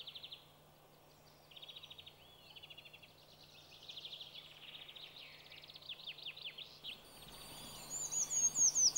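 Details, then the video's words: Eurasian treecreeper (Certhia familiaris) singing while foraging in Sweden: thin, very high, fast trilled phrases with quick downslurred notes, ending in louder, sharper, higher chirps over a faint low hum. "Trädkrypare / Certhia familiaris / Eurasian Treecreeper / ljud-sound"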